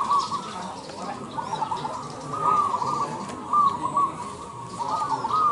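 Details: At a song contest in Indonesia, a zebra dove delivers a string of short, bubbling coo notes, steady in pitch and repeated with small breaks, against a low rumble of background noise.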